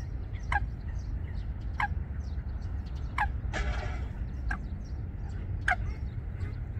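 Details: At Wangsong Lake, Korea, a Eurasian coot pair nesting in waterside vegetation; abrupt clipped calls repeat roughly every 1.2 seconds, six in all, with one brief rough noise burst midway and constant low background hum.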